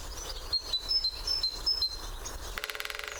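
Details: Great spotted woodpecker at its favourite drumming post, recorded by parabolic mic: high thin whistles from other birds first, then a rapid drum roll starting near the end and cut off.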